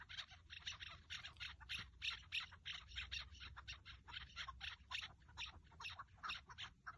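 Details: Decoy-hunt partridge recording from 30 March 2024: dense, quick, scratchy cackling notes, roughly three per second, over a constant low hum.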